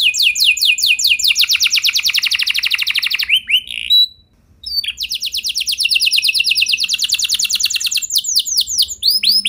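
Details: Canary singing to set other canaries off: long, fast rolling trills of high notes, broken by a short pause midway, then resuming with steady rapid repetition.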